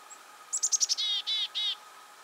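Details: Black-capped Chickadee, the Northeast's chickadee, heard in winter in eastern North America, gives its namesake chick-a-dee call: a rapid run of thin, high chips, then three harsh, buzzy dee notes, each about a quarter-second apart.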